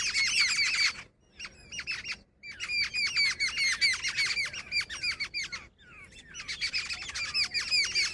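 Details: Jungle babbler, said to be female, giving harsh, rasping squawks in dense overlapping bursts of rapid chatter, broken by two brief pauses, with high scratchy notes throughout and a faint rural background.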